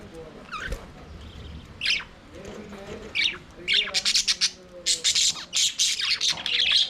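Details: Budgerigars in an aviary, singing and playing; a few rising squeaks lead into a fast run of loud, harsh, buzzy squawks and scratchy chatter that builds toward the end.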